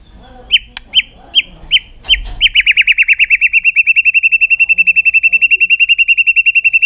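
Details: White-rumped shama, tail-flicking in aggressive display to stimulate other birds, opens with scattered clicks and short notes, then launches into a very long, fast, machine-like trill of evenly spaced high notes holding one pitch.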